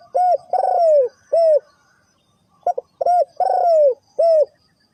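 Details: Spotted dove cooing in the Thai three-kuk-hoi style: two groups of low, hooting coos, each with a short note, a longer falling note and a short note, separated by a brief pause and a quick double note.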